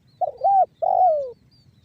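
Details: Single spotted dove phrase in banggo bocor style, meant to make other doves call: a doubled mellow coo followed by a long, smoothly falling coo.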